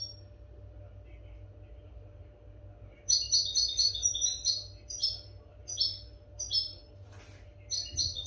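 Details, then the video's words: European goldfinch, recorded to teach captive goldfinches clean song: three seconds of near silence, then lively bursts of tinkling, buzzy twitters in short groups, with a brief hiss near seven seconds and a faint hum. "audio pará educar a los jilgueros sin errores"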